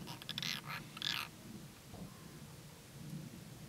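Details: Courting European roller giving a rapid series of short, harsh, crackling rasps in the first second, then falling quiet, leaving only faint low background rumble.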